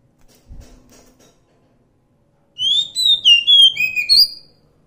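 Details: Wild Oriental magpie-robin, local name kacer hutan, bursting into one whistled phrase of varied slurred notes and a high final whistle after a quiet start with a few soft knocks.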